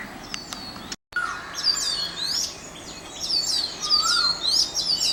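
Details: Oriental magpie-robin singing at Mormugao Harbour, Vasco da Gama: a lively run of high, varied whistles and chirps, with a lower sliding whistle near the end and other birds calling behind.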